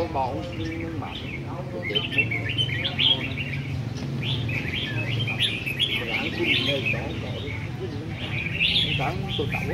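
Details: Red-whiskered bulbuls kept in cages on a competition rack sing lively, jerky chirping phrases, repeated and overlapping across the whole stretch, with low chatter of people and background hum.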